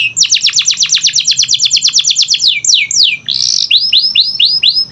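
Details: Lure song of a canary to get silent birds singing: a quick run of sharp descending notes, a few long downward sweeps, a short buzzy burst, then evenly spaced arching whistles.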